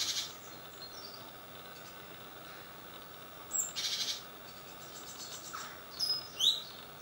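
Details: Great tit fledglings leaving a balcony nest box at 7 am, second brood: short rasping hissy bursts at start and mid-clip, then thin high whistled squeaks near the end.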